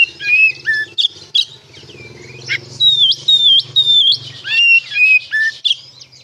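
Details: Oriental magpie-robin singing ngeplong style as a lure for untrained young birds: scattered clear whistles, upslurs and chips over a steady low mechanical hum.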